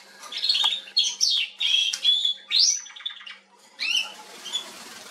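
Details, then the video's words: Atlantic canary singing in Remscheid, Germany, on 19 October 2021: a varied run of twittering and rising whistled notes with a short rattling trill, over a faint background hum. "Kanarengirlitz singing"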